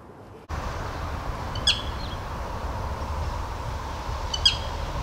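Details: A black sparrowhawk gives two sharp, high, clipped calls about three seconds apart over a steady low rumble, on a breeding-season morning after mating; the male called for over ten minutes with a Karoo thrush the female refused.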